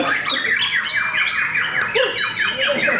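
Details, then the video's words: White-rumped shamas in a singing contest at Cikeas, Indonesia: a quick run of repeated downslurred whistled notes, several per second, over other birds' bright phrases and a murmuring crowd. "Serunya pertarungan murai batu"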